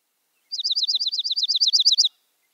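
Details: Dark-eyed junco chatter call: a single fast trill of about a dozen sharp, high, down-slurred chips lasting 1.5 seconds, growing slightly louder toward the end, with silence around it.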